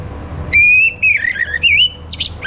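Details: Orange-headed thrush singing in the morning to spur other birds into song: a short run of bright whistles, a sustained note sliding into wavering, dipping phrases and ending in a harsher high chirp.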